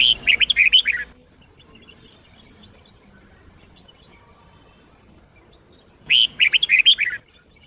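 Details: Red-whiskered bulbul, Sông Kôn song style, used for training. Two lively phrases of quick, chattering whistled notes open and close the stretch, with a long quiet gap between them.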